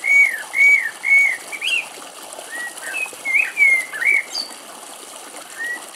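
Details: A common blackbird sings from brambles at the edge of a wooded thicket in Greece, alert: mellow, fluted whistles in short slurred notes rising and falling around a mid pitch, with faint background hiss.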